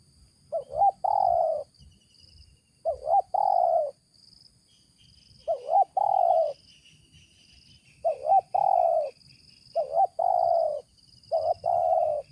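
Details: A wild spotted dove in Indonesia, a dominant local male, gives low, hoarse cooing phrases, a short coo then a longer rolling croo roughly every two seconds, with faint chirps and insect hiss behind.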